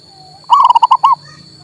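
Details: Song of a local male zebra dove meant to encourage a silent bird: a faint soft whistle leads into one clear phrase of about seven quick, rolling coo notes, the last slightly drawn out, with a constant background hum.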